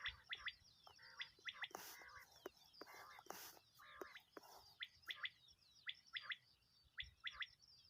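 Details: Common quail (batair), filmed in hunting season, giving sharp, liquid triple-note calls in quick bursts about once a second, with loud bursts of noise and some lower chirps mixed in.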